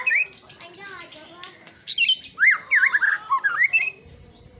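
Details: White-rumped shama giving a loud burst of rapid, zigzagging whistled notes after a stretch of human voices in a quiet indoor-sounding space.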